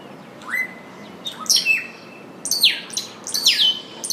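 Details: Scrub Blackbird (Dives warszewiczi), a common bird of southwest Ecuador, calls with bright, ringing whistled notes: a rising slur, then sharp high notes sweeping downward, about one per second, against a quiet background.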